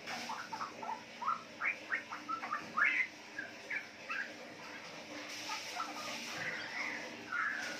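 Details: Riwik chatter from a four-month-old captive female Straw-headed Bulbul, offspring of wild-type parents, in Yogyakarta, Indonesia: clipped upslurred notes in quick runs during the first half, then softer scattered twitters.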